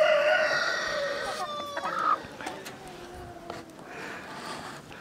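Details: Village chickens, a rooster's long loud crow opening the recording and fading into drawn falling notes, with hens softly clucking underneath and a distant second crow.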